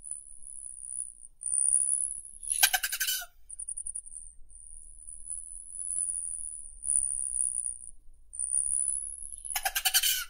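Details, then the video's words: Long, thin, very high whining tone from a Rufous hummingbird (Selasphorus rufus), wavering slightly and interrupted by two bursts of rapid harsh stuttering chatter. "Как поёт Колибри охристый (Selasphorus rufus)"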